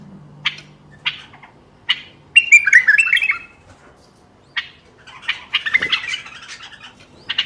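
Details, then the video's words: ['Bulbul song used to stimulate silent bulbuls into singing: short harsh squawky notes about once a second, then a bubbling warbled phrase, a pause, and another burst of chattering notes; faint low hum beneath.'] "تغريد تحفيزي للبلابل القافلة ترديد صوت البلبل"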